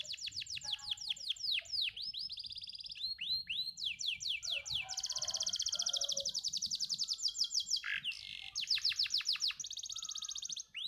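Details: Canary in full, lengthy song: bright high trills of rapidly repeated swept notes, rolling buzzy runs and sudden shifts between phrases, pouring out almost without pause over a quiet background.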